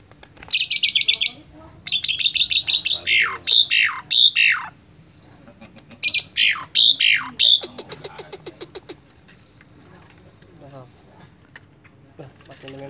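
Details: Asian pied starling, apparently a hybrid, learning to chatter: loud bursts of rapid, harsh chatter mixed with sweeping whistled notes, in two long phrases with quieter clicks between.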